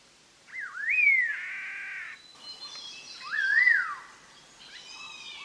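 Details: Black-hooded laughingthrush, a Vietnamese endemic of montane evergreen broadleaf or conifer forest above 2,000 m (Đak Lak, Lâm Đồng), giving loud, rich whistled phrases swooping up then sliding down, two main phrases seconds apart, then a fainter, higher burst; a lure recording.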